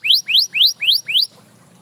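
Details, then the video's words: Canary phrase from a bird prompting others to sing: five clear whistled notes, each sliding sharply upward, evenly spaced about four a second, followed by quiet. "Watch How This Canary Inspires Others to Sing Again!"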